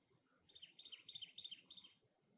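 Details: Cactus wren calling at its nest: a single harsh, grating burst of about six rapid chattering notes lasting roughly one and a half seconds, with faint low background rustle.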